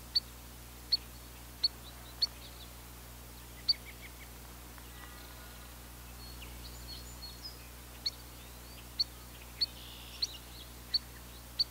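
Spotted Sandpiper giving sharp, high single peeps, spaced about a second apart and unevenly. Faint softer chirps and a steady low hum sit underneath.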